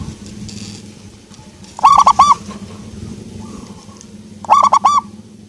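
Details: Local zebra dove (perkutut lokal) giving two phrases of three or four soft, rounded cooing notes about three seconds apart, with quiet low rumble in between.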